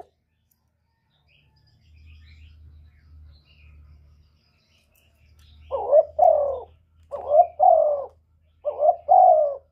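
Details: Spotted dove giving a stirring call meant to provoke other doves into answering. After about six seconds of low hum, mellow paired coos begin: a short note, then a longer, slightly falling coo, repeated about every 1.3 seconds.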